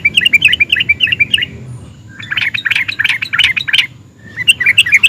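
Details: Sooty-headed bulbul in excited nguplik style, sung to provoke other bulbuls: jumbled, bubbly chattering phrases of uneven notes, one phrase after another.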